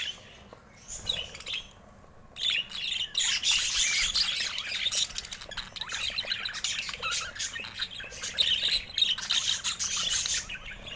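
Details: After two quiet seconds with a few soft chirps, budgerigar chatter swells into dense, high, scratchy warbling and squeaking that carries on steadily to the end.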